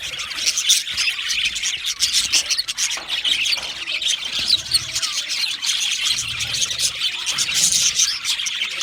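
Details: Budgerigars chirping in a dense, warbling chorus of high, twittering and squawking notes that runs on without pause.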